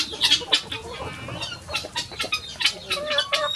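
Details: Morning rush of chickens leaving the coop to roam free; quick high clucks and squeaky notes overlap from several hens, with a thin drawn-out squawk in the middle.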